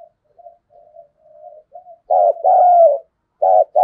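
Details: Decoy spotted dove cooing in a repertoire of thúc, gù and gáy gọi styles in a deep thunderous voice: soft low murmured coos, then a loud two-part coo, a short hollow note, and a cut-off final coo, with no background.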